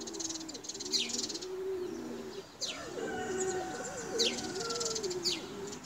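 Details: Several domestic tumbler pigeons being flown coo together in low, rolling, overlapping tones, with brief high chirps from small birds and a steady outdoor hiss.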